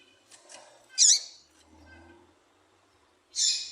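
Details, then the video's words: Female double-collared seedeater calling, a call used to stir males into singing: two short, sharp, high chips with a quick downward sweep, about two and a half seconds apart, with faint soft background murmur between them. "Piado de Fêmea de Coleiro para Foguear Coleiro tui tui"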